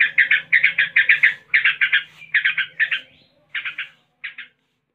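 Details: Yellow-vented bulbul giving the rolling ngebren song with 'tembakan' bursts: dense buzzy note runs at first, then thinning into short separated clusters that trail off into silence, with a faint background hum.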